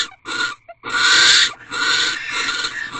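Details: In a corral owl box at 4:17 am, 4 March 2023, barn owls mate on night fifteen; two short harsh hisses lead into a long, continuous rasping screech lasting about two seconds.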